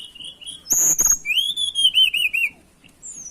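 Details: Tledekan songbird in breeding condition seeking a rival gives a short, loud phrase: a sharp buzzy burst, then a long, slurred whistle that breaks into quick, wavering repeated notes, and a final high rising note.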